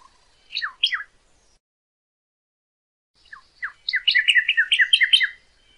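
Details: Northern cardinal song for tutoring captive birds: two separate falling whistles, then a pause of about two seconds. A burst of quick downslurred notes follows, speeding into a dense, rapid trill before fading.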